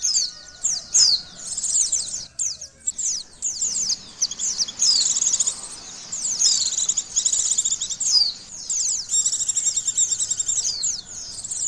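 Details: Oriental white-eye under an emotion and arousal test, pouring out dense, high-pitched chattering twitters in near-continuous runs that end in a fast, buzzy, insect-like trill.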